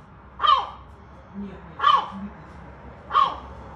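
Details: Seagull giving a dog-like bark, an unusual imitation of a dog's barking: three short, harsh, hoarse barks spaced a little over a second apart, with faint lower murmurs between them.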